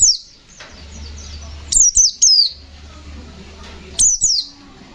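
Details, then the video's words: Short clusters of two or three piercing, high notes slurring downward, repeated after pauses of about two seconds, from a pleci (white-eye) in gacor fighter ngalas nembak style; low hum behind. "Suara burung pleci Gacor fighter Ngalas nembak, Sobek sobek"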